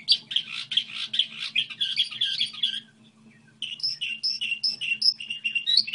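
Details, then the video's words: A goldfinch hybrid sings its model song in two phrases: a dense, scratchy twittering run, a short pause, then clearer repeated bright chirping notes, all over a faint low hum. "Hibrid sticlete ,model de cântec (Goldfinch hybrid)"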